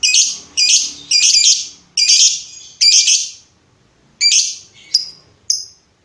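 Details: Lovebird vocalizing for use as master training sound for other birds; a series of harsh high chattering bursts about every second and a half, followed by a gap and short thin squeaks.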